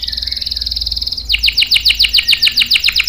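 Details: Canary in strong song, used to coax young and stalled males into singing; a smooth rapid trill followed by quick, regularly repeated sweeping chirps.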